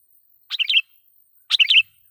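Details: Sooty-headed bulbul lure song, loud and meant to provoke wild bulbuls: two quick bubbly phrases of three or four chirpy notes, one second apart, on a quiet background.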